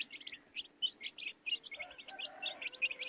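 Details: Chorus of baby chicks giving quick, high-pitched peeps in clustered bursts, many birds calling at once over a faint background hum.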